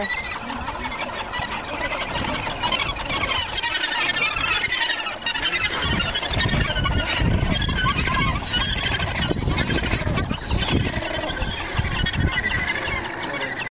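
A dense din of Australasian gannets, harsh grating and rasping calls overlapping without pause, with a steady low rumble of wind or surf beneath.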